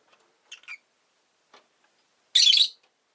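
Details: Captive rosy-faced lovebird giving a couple of thin chirps, a faint note, then one loud rasping squawk lasting under half a second.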